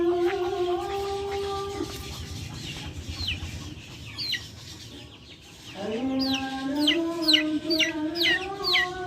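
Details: Backyard chickens give a steady low harmonic call that breaks off. After a quieter spell, a rising drawn-out call returns, joined by a burst of thin descending peeps repeated quickly.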